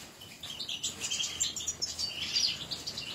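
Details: Caged European goldfinches giving rapid high twittering and chirping notes in a lively tinkling run.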